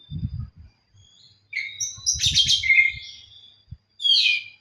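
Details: Oriental magpie-robin singing while seeking a rival: varied bright whistles and a burst of rich warbled phrases, separated by short pauses, with low thumping knocks underneath.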